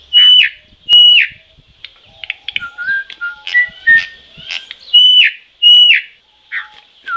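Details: Troupial singing loud clear whistles: paired high level notes alternate with lower, slightly rising whistled phrases, repeated over several seconds against a quiet background.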